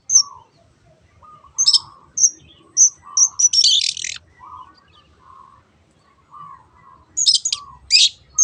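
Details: Long-tailed shrike singing as a lure for other birds: thin high whistles spaced out, a burst of harsh rasping notes, soft low warbling between, and more rasps at the close.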